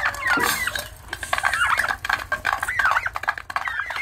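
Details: Young turkey chicks, several peeping at once with quick rising and falling chirps and some louder squeaks, over a constant low hum.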